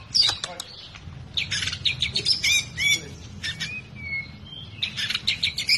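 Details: Albino white-rumped shama from Medan giving a long song: bursts of high, sharp chirps and short whistles with a drawn-out whistled note, over a faint low hum.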